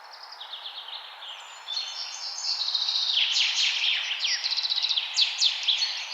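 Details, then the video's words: Mixed birdsong with high chirps and rapid trills, busy overlapping phrases repeated quickly, growing louder midway through, with faint background hiss. "Birds Singing"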